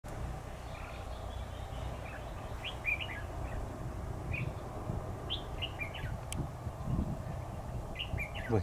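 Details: Red-whiskered bulbul used as a decoy in a trap to lure a rival, 7 October 2019: short warbled phrases scattered through the clip over steady low background hum, with a man talking just after.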